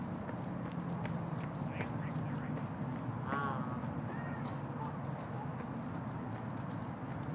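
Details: One brief honking note from a Canada goose, recorded 16 March 2019 in Los Gatos, California, USA, rising out of a constant low-pitched rumble, with faint voices and distant bird chirps around it.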